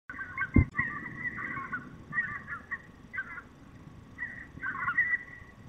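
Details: Male peregrine falcon at a nest in the Barycz valley, Poland, searching for his mate, 16 September 2021: harsh, hoarse wailing notes in uneven bursts with a short pause between them, over steady background hum and a sharp knock.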